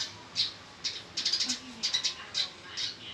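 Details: Fighting male Eurasian tree sparrow uttering scattered high, harsh chirps, some single and some in rapid runs, with short gaps between bursts and a faint low sound underneath.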